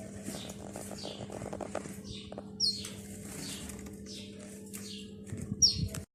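Finch chicks give thin, high descending squeaks and sharp chips over a steady low hum.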